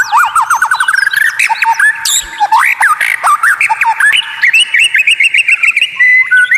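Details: White-rumped shama giving unusual, rare training song said to make opponents rage: rapid rattling series of chipping notes, looping whistles and a long run of fast repeated clipped notes near the end.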